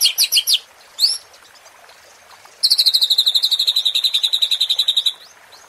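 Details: White-rumped shama (murai batu) provoking song for training competition birds: quick high whistled bursts, a pause, then a long fast trill of sharp repeated notes ending in an upward slur.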